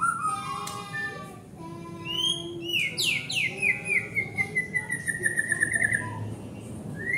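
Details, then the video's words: White-rumped shama singing to provoke a response: a rising whistle gives way to a long, falling rattle of quick repeated notes that speeds up, with faint steady tones behind it. "Murai Batu Memancing Bunyi"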